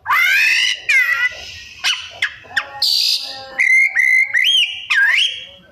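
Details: White-rumped shama (kacer) delivering a mimicking song with loud whistles, buzzy raspy bursts, clicks and sliding whistled notes separated by brief pauses.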